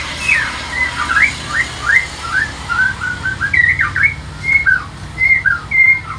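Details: Morning lure song of a white-rumped shama: a string of thin whistled slurs, some rising, some dropping, repeated at uneven short intervals against constant background hiss and low hum.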